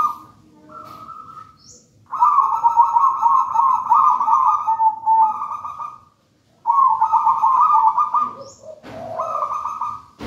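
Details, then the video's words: Wild local zebra dove, taken from a nest in a raja banana plant, singing steadily: long trilled, rolling coo phrases, each about two to four seconds, separated by brief pauses, with a softer coo at the start. "Perkutut manggung gacor"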